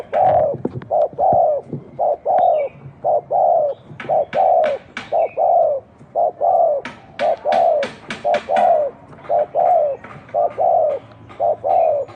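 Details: Spotted dove giving thổ đồng style cooing: a rapid run of about twenty short, low, hollow coos, each roughly half a second apart, with sharp clicks and taps scattered through.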